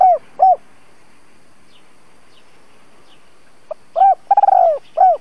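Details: Spotted dove kept as a trapping decoy: two hollow coos, a long silence with faint distant chirps, then a short note, a coo, a fast rolling trilled coo and a final hollow coo.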